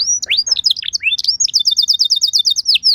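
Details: Canary song used as a lure to make other canaries answer: mixed chirps and swooping notes at the start, then a fast even trill of short repeated notes, ending in a downward slur.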